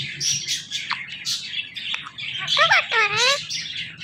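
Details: Indian ringneck parrot, a pet talking bird, mimicking human speech; raspy, speech-like squawks and chatter give way to a pair of clear, wavering whistled notes, with music playing faintly behind.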